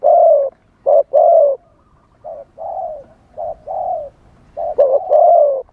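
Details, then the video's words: Decoy spotted dove calling to attract wild birds, wild-style voice: loud long coos alternating with shorter ones, some phrases softer and uneven in spacing. "เสียงต่อนกเขาใหญ่ คารมป่า 100 % ต่อสด"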